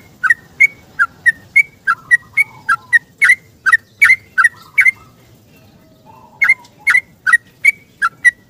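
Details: Yellow-vented bulbul giving its long rapid 'ropel' morning song, sung while seeking a companion and used as a lure for silent caged birds. Crisp paired notes dip then flick up, about a dozen in quick succession, a second-long pause, then five more.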